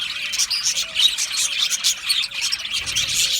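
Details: Many Australian budgies in an aviary chirp at once, producing busy, high-pitched twittering with quick pulsing bursts throughout.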